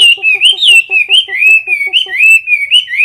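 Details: A caged Chinese hwamei sings a competition song close to the recorder: a steady chain of clear, bouncing whistled phrases, each rising then dropping, with soft lower clicking pulses beneath them about five times per second.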